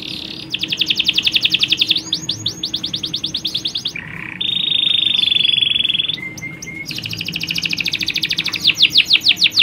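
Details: Canary colony, females calling to males and a male in full continuous song, kept to stimulate breeding: fast buzzy trills alternate with a sustained steady whistle and quick rising sweeps, with brief pauses between phrases.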